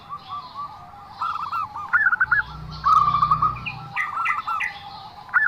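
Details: Zebra dove singing a strange, distinctive song: short rolled coo phrases with a sharp upward flick at the start of some, and soft chirps and a low rumble in the background.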